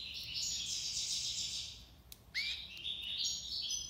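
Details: Goldfinch song of the tiwawati libassad type: a long continuous rich twittering trill for two seconds, a short gap, then a rising whistle leading into chattering, tinkling phrases.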